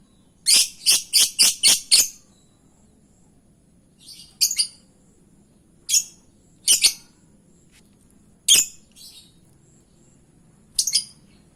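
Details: Lovebird calls used as a lure to draw a reply: a rapid burst of six shrill, piercing chirps at the start, then scattered single and paired high squeaks every second or two.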